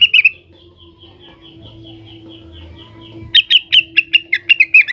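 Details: Blue-winged leafbird, worked up and calling at rivals: a short burst of chirps, then a quiet thin whistled series and low hum, before a loud run of about ten evenly spaced sharp chirps.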